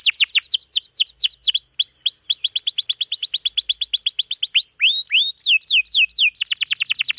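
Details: Dense canary song with long rolls, meant as a tutor for young or silent canaries: fast cascades of downward-slurred whistles broken by clipped, rising notes and varied phrase changes.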